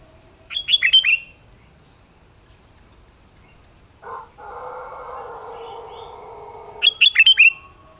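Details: Sooty-headed bulbul, known locally as kutilang, singing two brief phrases of rapid, liquid, falling whistles roughly six seconds apart; between them a rooster-like crow runs for a few seconds, with steady high hiss throughout.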